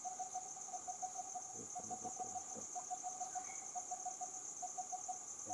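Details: Coppersmith barbet giving a long run of low, hollow, evenly spaced notes at a steady pace, several per second. A continuous high insect drone runs throughout, with a faint brief higher note near the middle.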